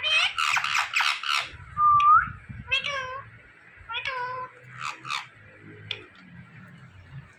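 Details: Indian ringneck parakeet mimicking speech: a loud scratchy burst, a short upswept whistle, then several nasal, meow-like syllables fading in strength, over low background hum.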